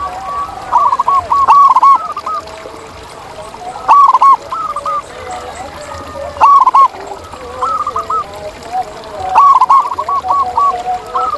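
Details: Local wild zebra dove with a loud voice, giving short rapid bursts of clipped cooing notes about every two to three seconds, with other doves murmuring lower in the background.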